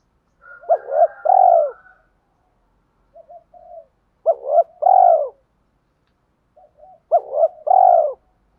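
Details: Spotted dove used as a decoy, cooing to wild birds in the morning: three evenly spaced phrases, each quick paired notes and a deep drawn-out cooo, with faint murmurs between.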